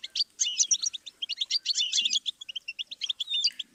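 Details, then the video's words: Goldfinch song from a stimulus series for teaching songbirds: rapid, dense twittering of short high chirps and trills with brief whistled slurs, continuous throughout with only tiny pauses. "Series of stimuli for the goldfinch"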